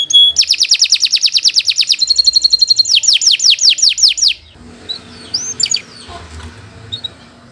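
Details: Canary singing at length for use as a tutor recording: a fast rolling trill of clipped notes, a brief steady buzz, then several descending whistled sweeps before the song fades into quiet background with a few faint chirps.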